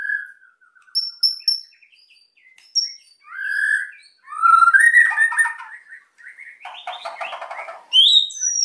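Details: White-rumped shama in full, emotional song to draw quiet birds into singing: low fluting whistles, high thin notes, slurred rich phrases and a harsh grating stretch before sharp high whistles close the sequence.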